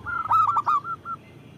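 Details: ['Local zebra dove with a loud voice, used for luring and provoking. A short burst of loud, stuttering coos is followed by two softer trailing notes.']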